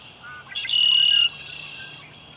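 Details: Red-winged blackbird singing at Humboldt Park, with brief faint opening notes leading into a strong, raspy, buzzing trill lasting roughly half a second, then quiet background.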